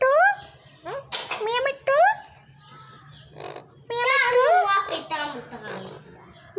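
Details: Pet talking parrot chatters in a nasal, swooping voice, mimicking speech-like phrases such as "Miya Mithu", "churi khani hai" and "Allahu" in bursts every second or so, with quiet pauses between.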